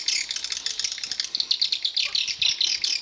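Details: Swiftlets inside a swiftlet house giving rapid, rattling clicks and high chirps, many birds overlapping in a busy, unbroken chatter.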